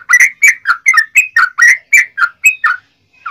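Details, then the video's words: Yellow-vented bulbul song meant to provoke other bulbuls into singing. A quick series of bubbly, slurred whistled notes, about four each second, each rising or dipping in pitch. "trucukan ropel panjang TARUNG PANCINGAN TRUCUKAN agar bunyi"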